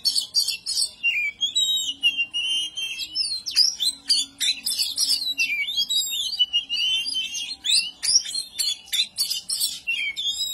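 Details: Agitated oriental magpie-robin (kacer) in ngobra mode to goad rivals, pouring out sweeping whistled phrases, rising and falling slurs and sudden harsh rasps across ten seconds of near-continuous singing.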